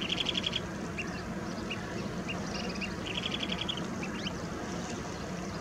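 Kentish plover giving short bursts of rapid, high ticking notes, with single soft 'pit' calls in between, over steady low wind or surf noise.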